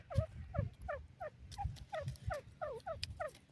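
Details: Grey francolin, known locally as Dakhni teetar or Indian francolin, calling at home in India: quick series of sharp, rising, nasal notes about three per second, with low thumping knocks underneath.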